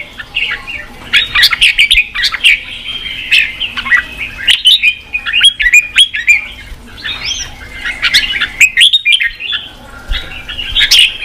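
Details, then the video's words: Red-whiskered bulbul song aimed at rousing wild-caught birds to fight and sing fully; chattering whistled phrases in clustered bursts with sharp clicks, pausing briefly around four and a half and nine seconds. "Kích chào mào bổi đấu, luyện chào mào sổ giọng, kích chào mào căng lửa"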